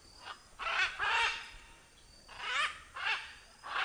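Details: Macaw in nature uttering repeated hoarse, scratchy squawks in pairs, loud and coarse, with brief lulls between bursts.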